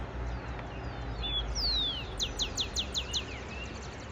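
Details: Rufous-collared sparrow song heard in the morning in Quito, Ecuador: two long, slurred falling whistles, then a quick run of about eight sharp descending notes, over a low rumble of distant traffic.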